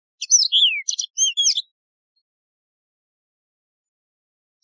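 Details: Yellow-fronted canary, a wild canary also called Mozambique serin in Algeria, in a clean song recording for tutoring: two quick bursts of bright twittering notes with sliding, falling whistles, then a long silence and a last note at the end.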